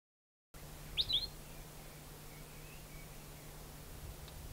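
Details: Endangered Palila from the subalpine forest of Mauna Kea, Hawai'i: two quick, high chirping notes close together, then quiet over a steady low hum.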